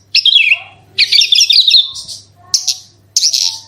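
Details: Branjangan song meant to get other bushlarks singing: short bursts of high jumbled twittering and buzzy trills separated by brief pauses, with faint lower tones and a background hum.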